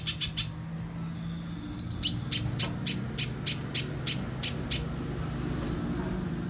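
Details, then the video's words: Little spiderhunter lure call for coaxing young captive birds into song; after a few faint notes, about ten crisp, high, piercing chips follow at an even pace of roughly four per second, with low hum underneath. "Suara Pikat Burung Pijantung Pisang Durasi Panjang, Pijantung Bahan Langsung Bunyi"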